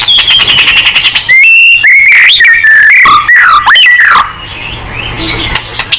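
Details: White-rumped shama singing to provoke a reply: loud rising and falling whistles, rapid slurred notes and sharp chips in a quick run, then fading into quieter, softer notes.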